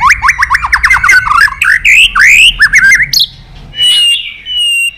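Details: Caged White-rumped shama singing with great energy and tail flicking, urged on to sing many phrases: a fast rattling run of rising chirps, then sweeping whistled slurs, ending with sustained pure whistled notes.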